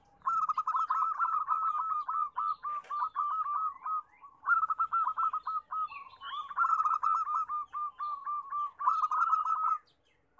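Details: Many local zebra doves calling loudly together, used as a lure for doves that rarely sing: rapid staccato cooing trills in overlapping bursts of two to three seconds, with brief gaps, plus faint high chirps from another bird.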